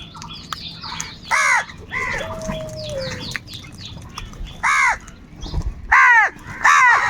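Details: Crows fighting for food give harsh, buzzy caws in loud short bursts, four spaced calls over about seven seconds. Fainter chirping birds sound in the background.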